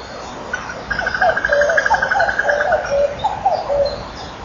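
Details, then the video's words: At 09:33 near a kingfisher nest on 24 May 2012, a Common Cuckoo, apparently startled by an alarm-like call possibly from a woodpecker, gives low hollow falling notes in a quick, uneven, faltering run, with a fainter higher whistle alongside. "Koekoek roept ook"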